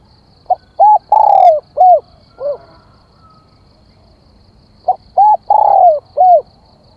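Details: Spotted dove calling as a decoy to lure wild doves: two phrases of mellow, hollow cooing notes. Each phrase has short coos around one longer, drawn-out, slightly falling coo, separated by a few seconds of quiet, with a faint steady high tone behind.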